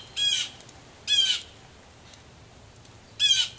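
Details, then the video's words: At a Missouri farmhouse front porch in the rain, mad blue jays give three separate raspy screams, spaced about a second or two apart, against a quiet rain hiss. "there are some mad blue jays at 12:27"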